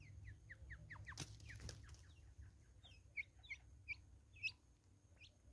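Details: Flock of Natal spurfowls in South African woods: a rapid train of harsh descending notes at first, a rustling noise, then four loud, evenly spaced calls near the end.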